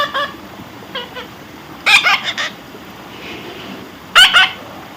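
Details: A baby parrot being tamed gives scattered, rasping squawks in small clusters. The loudest burst comes in the middle, with another about two seconds later, over a constant low background hiss.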